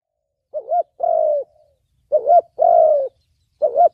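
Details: Spotted dove in the 'thổ bầu' voice style, used to lure wild doves for trapping and to train decoy birds: two low cooing phrases, each a short warbled note and then a longer, slightly falling coo, with silent gaps between.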